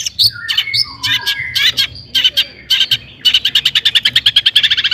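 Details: A long-tailed shrike gives a 'toet toet' style song used as a lure for other shrikes. Varied whistles and slurs lead into a fast, regular rattling series of notes.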